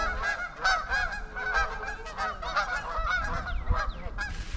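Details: Trumpeter swans (11 adults, 2 juveniles) on the ice-laden Huron River, Ann Arbor, Michigan, on a winter afternoon, 17 February 2021, about 21 degrees, give overlapping nasal, horn-like honks in quick succession, several calling at once, over a low rumble of wind and water.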